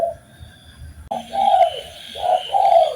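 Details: Spotted dove cooing, from a master recording used to train birds: after a quiet first second, low mellow two-part coo phrases, each a short note followed by a longer one, repeated twice, with a faint background hiss.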